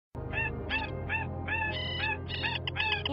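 A slaty-breasted rail gives about eight nasal, ringing notes over three seconds, each slightly rising, with a steady low hum beneath.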